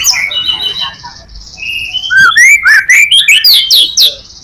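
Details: A white-rumped shama, its song meant as a lure for other shamas, opens with soft, thin whistles, then bursts into loud, rising slurred notes repeated about four times per second.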